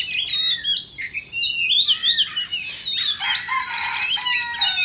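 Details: White-rumped shama from Indonesia performing its song with a fanned-tail dance: flowing, looping whistled phrases rising and falling, then a busy, buzzy jumble of rapid high notes.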